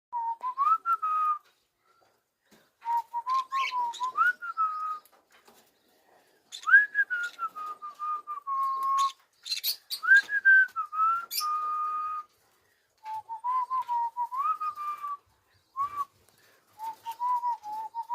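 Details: A one-year-old pet cockatiel whistles clear, sliding phrases that rise and dip, repeated in short bursts with pauses.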